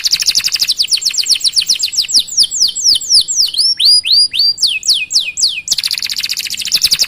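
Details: Canary singing a master song for other canaries: a rapid, rolling trill that slows into loud, descending whistled sweeps, then breaks back into a very fast, dense trill.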